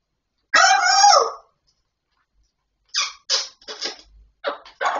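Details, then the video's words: Grey parrot talking indoors: a long harmonic speech-like phrase, a pause, then a run of short clipped word-like syllables. "Perroquet qui parle /Gris du Gabon"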